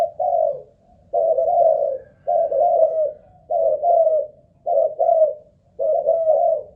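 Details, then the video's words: ['Ground-decoy spotted dove from a Malaysian line, tested for endurance: deep soft coos in groups of two or three, about six phrases with regular pauses, indoor setting, nothing else audible.'] "Cu Gáy Mồi Đất || Test nước bền chim cũng thấy khá ổn"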